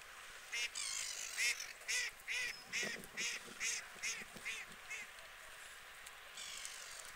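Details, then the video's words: White geese among UK water birds calling in a steady series of about a dozen short, nasal honks, roughly two per second, harsh and slightly rising, trailing off into softer calls near the end. "White Geese"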